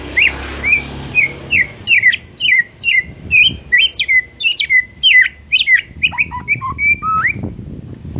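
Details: Energetic white-rumped shama song: rapid varied whistles and sharp sweeping notes in quick succession, shifting to lower slurred phrases near the end, with a steady low rumble behind.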